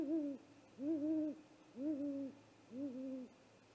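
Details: Great horned owl on a live nest camera, attacking a nesting great gray owl shortly after midnight, 30 March 2018; four deep, even hoots, each about half a second long with a slight rise and fall, evenly spaced.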